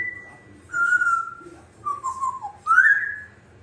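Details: African grey parrot, a pet indoors, whistles a phrase of the Star Wars theme: high held note, lower sustained tone, wavering descending slur, then a bright rising note that levels off.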